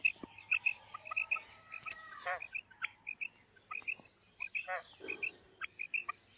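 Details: A female quail gives repeated short, high paired notes, partly masked by clattering, scraping and other handling noises.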